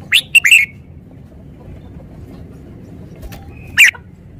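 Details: Red-whiskered bulbul singing two short, bright warbled phrases near the start and one more near the end, with quiet low background hum in between.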